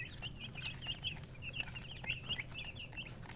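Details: Chicken chicks giving rapid high-pitched peeps in bursts, each chirp short and arching, overlapping from several babies, with low background hum.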